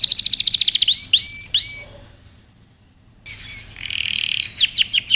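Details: Canary singing a powerful training song: rapid sweeping notes, then three drawn-out slurred phrases, a silent gap of over a second, then a buzzy sustained roll ending in quick downward chips.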